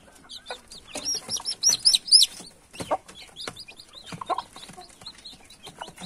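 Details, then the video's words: Several young chicks peep rapidly at once, with high thin chirps tumbling over each other about three or four a second, and light tapping and scratching underneath. "SUARA ANAK AYAM"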